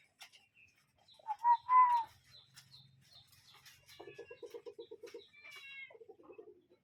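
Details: Wild cuckoo in nature giving two loud whistled notes, a short one then a longer slightly rising one. A faint low hum follows, then quicker, softer chattering notes from another bird and thin high twitters.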